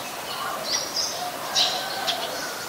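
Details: Eurasian Tree Sparrow (Passer montanus) recorded in Ubon Ratchathani, Thailand, on 10 May 2020; a few short, scratchy chirps spaced irregularly over a steady background hiss.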